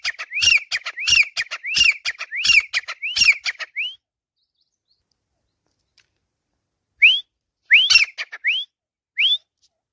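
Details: Captive male-style teetar call from a Grey Francolin on a swing: a run of rising whistles with harsh clicks about every 0.7 seconds, then a pause and a few isolated upslurred whistles.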